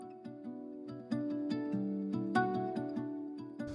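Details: Gentle plucked-string instrumental music with sustained low notes, no animal calls.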